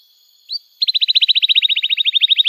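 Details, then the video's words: One short upslurred note, a pause, then a fast, regular trill of crisp chips at about ten per second. The canary song serves as a teaching lure for young canaries, over a faint constant high tone. "Kenari Gacor Panjang Cuit Cuit Emosi, Pancingan Kenari Paud Belajar Bunyi"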